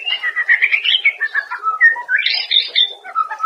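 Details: Daily master song of a white-rumped shama for caged birds, a continuous flowing run of varied whistled notes that rise and fall, with a louder upward sweep near the end.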